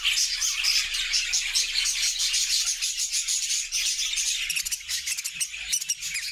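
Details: Caged budgerigar flock, described as happy, singing in a new homemade cage; busy high twittering and warbled chatter overlapping throughout, with a few clearer whistled notes early on and a soft low rumble near the end.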